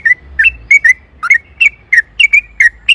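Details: Yellow-vented bulbul singing a lively song, used to lure other bulbuls into singing: clear whistled notes given in pairs, some rising and some falling, repeated steadily for three seconds.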